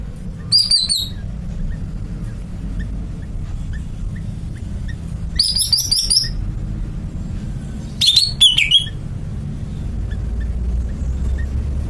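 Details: Greater green leafbird, a caged bird, gives three bursts of bright, high whistled notes with quick slurred trills, spaced a few seconds apart, over a steady low rumble of background noise.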